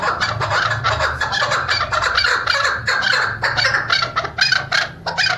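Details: Female chukar partridge of the kind used for hunting, giving a dense, continuous run of harsh clucking chatter with overlapping notes and no pauses, under a low background hum.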